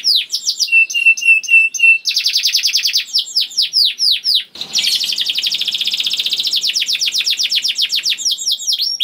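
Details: Young canary singing as a lure for other canaries: short whistled notes, a run of repeated flat piped notes, then rapid slurred chirps and a long rolling buzzy trill.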